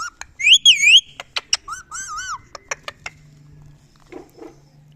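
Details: Pet male Indian ringneck parakeet kept as a talking bird, giving loud, high whistled notes that bend up and down with bright overtones, mixed with sharp clicks and short chirps, then a few soft low squawks near the end.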